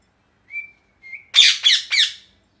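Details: Parrot calling: two soft, level whistled notes, then three loud, harsh, buzzy squawks in quick succession, each falling slightly in pitch.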